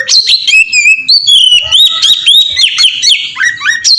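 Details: Oriental magpie-robin singing in the melodious ngeplong style, used as a lure to make other magpie-robins sing. A loud, continuous run of clear whistles, sliding up and down between notes, with quick chirps and trills in between.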